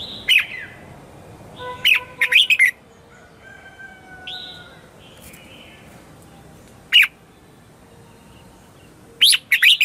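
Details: Red-whiskered bulbul morning song, played as a lure for wild birds: scattered short chirpy phrases separated by long quiet gaps, with faint sustained whistles between them over a low background hiss.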